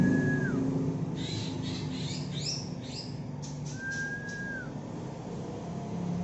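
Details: Greater green leafbird from Alas Purwo, Banyuwangi, a young bird: two long, level, clear whistles that dip at the end, separated by faint twittering notes, all over a constant low hum.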